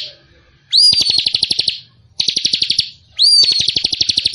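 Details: Javan cochoa and sooty-headed bulbul: high, rapid trilled phrases, each opening with a sharp rising whistle, then a fast buzzy chatter of about a dozen notes per second, repeated three times.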